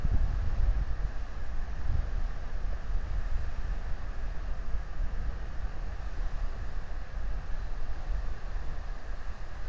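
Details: Continuous low-pitched wind roar and rumble fill the recording, without any animal voices.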